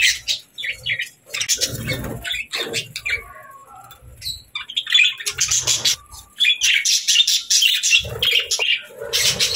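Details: Budgerigars chirping during evening play: stop-start bursts of bright, twittering chatter and clipped squeaks, with a quiet stretch around four seconds before lively warbling returns.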